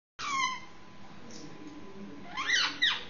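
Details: Six-month-old Indian ringneck parakeet making noise before sleep, indoors in a small room: a harsh descending screech at the start, then quiet, then two loud, rough, rasping squawks near the end.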